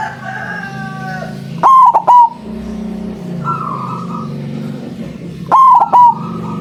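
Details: A white zebra dove with a loud voice, kept as a lure for dove trapping, gives two stuttering three-note coo phrases about four seconds apart. Softer bird calls and a low hum sound around them.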